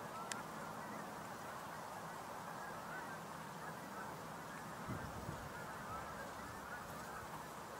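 A large flock of snow geese makes a steady, overlapping roar of nasal honks and yelps, with no single voice standing out.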